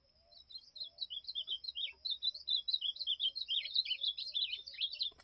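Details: Ultramarine grosbeak (azulão) song in 'campeada' style: continuous quick warbling of short slurred notes, dipping and rising, growing louder and denser toward the end over a steady high background hum.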